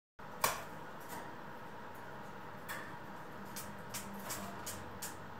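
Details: Quiet indoor background hiss with a few sharp clicks and soft knocks, and no animal voice heard.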